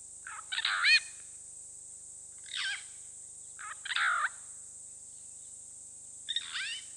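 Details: A pair of purple rollers at Hyena Pan Camp, Khwai Private Reserve, Okavango Delta, Botswana, recorded by a streaming camera: harsh, rasping croaks in short bursts, about four over seven seconds, with a steady high hiss behind.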